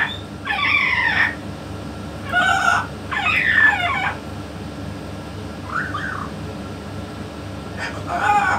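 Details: A yellow-naped amazon, the 'king' type, talking beside a parrot expert; three loud harmonic voice-like phrases, a pause with a soft short note, then another phrase starting.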